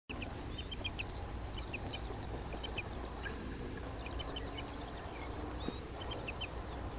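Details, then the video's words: Common redshank, adult and juvenile, near Skoczów, Poland, on 16 June 2021: short sharp piping notes repeated in loose bursts, with fainter higher calls and steady low rumble beneath. "Krwawodziób Tringa totanus , dorosły i młody osobnik"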